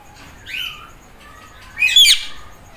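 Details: Green ringneck parrot doing meow mimicry: a soft rising-and-falling whistled note followed by a loud, harsh, raspy squawk.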